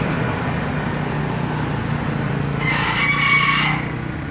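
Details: Brief crow of a green junglefowl, a harsh double burst near the end, rising above a steady engine-like low drone.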